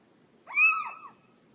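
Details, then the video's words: Little owl, locally called ciyow in Somali, giving one clear mewing note that climbs then slides down, lasting under a second, with quiet background. "Ciyow ( little owl)"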